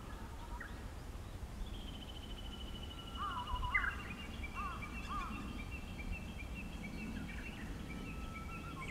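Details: Japanese bush warbler singing close by, recorded 5 April 2016: long thin whistles held at two pitches, with short looping warbled flourishes around the middle, over a steady low rumble of outdoor background noise.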